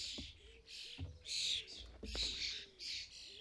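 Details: European starlings at a custom-built garden feeder in the UK during fledgling season, parents collecting food for fledglings; harsh, buzzy, hissing bursts repeat about every half second, with faint clicks and knocks of feeder activity beneath.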